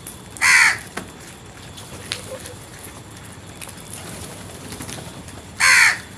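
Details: Crow producing two loud harsh caws about five seconds apart, separated by quiet background with a few faint clicks.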